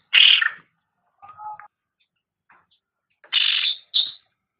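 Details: Cucak rante from a master recording for training pet songbirds: loud harsh buzzy notes, a faint lower whistled phrase in the middle, then two more rasping bursts close together.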